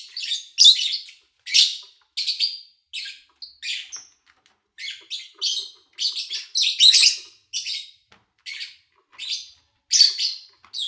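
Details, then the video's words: Lovebirds chirping, recorded in August 2019 with little engine noise or human activity; a busy stream of harsh, scratchy chirps, several birds overlapping in quick irregular bursts across about eleven seconds. "Sounds of Lovebird Chirping"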